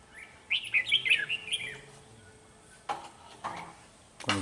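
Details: Red-whiskered bulbul decoy singing to challenge rivals during trapping, 13 November 2018, Vietnam: a quick run of warbled, chirpy notes in the first two seconds, then sharp knocks and rustling, with a man talking nearby.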